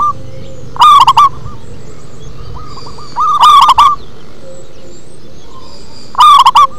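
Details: Local zebra dove (perkutut) performing its bass-toned song: three loud bursts of quick, rolling cooing notes roughly every two and a half to three seconds, with faint softer coos in between over a low constant hum.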